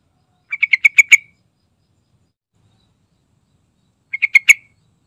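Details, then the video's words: Vigorously singing sooty-headed bulbul, played as a lure to make other bulbuls sing: a rapid chattering phrase of six bubbly notes, then a shorter four-note phrase about three seconds later, otherwise silent. "Suara Rayuan Trucukan Gacor Santai Bongkar Isian"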